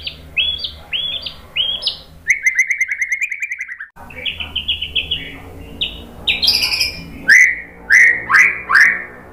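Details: Murai batu, white-rumped shama, lure song for training caged birds: short rising whistled notes, a quick descending run of chips, then varied slurred phrases and loud sweeping upslurs, with faint low hum throughout.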